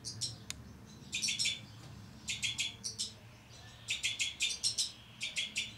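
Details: Two-barred crossbills, a breeding pair kept with their young in 2012, giving high, dry chirps in rapid bursts of three to six notes separated by short pauses.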